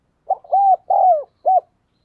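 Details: Decoy spotted dove cooing fast to attract wild doves. A single complete phrase: a short opening note, two long, rich, arched coos and a brief clipped closing coo.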